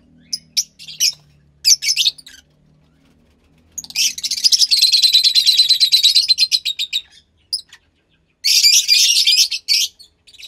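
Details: A captive Fischer's lovebird chick of about 15 days, bred from lutino and pastel blue parents, gives scattered high chirps, then long runs of rapid, rhythmic rasping calls pulsing several times a second.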